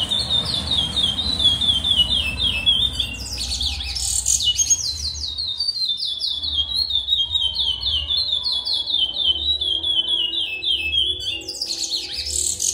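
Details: Caged chestnut-bellied seed finch (curió) singing: a long run of clear whistled notes, each slurring downward, repeated rapidly and steadily, with a few higher sharp notes and a low hum underneath.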